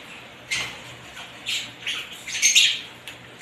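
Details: Lovebirds of assorted varieties give sparse, separate calls: a sharp squawk, a pause, then a cluster of scratchy chirps and a final harsh note over a quiet background.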